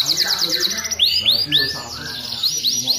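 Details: Strong-singing canary heard as a lure for other canaries: a rapid buzzy trill opens, then loud arched whistled notes repeat about every quarter second, followed by more quick high chips.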